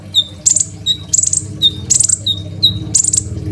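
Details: Crimson sunbird singing steadily, a master song for training other songbirds, recorded on a phone: repeated pattern of a clear high whistled note followed by a short buzzy trill, about four cycles, over low background hum.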